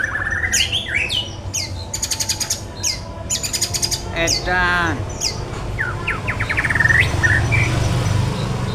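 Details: White-rumped shama singing as a lure for other birds, a busy medley of whistles, sharp rising chirps, harsh buzzy rattles and a grating descending trill, then clearer looping whistled notes, with low background rumble throughout.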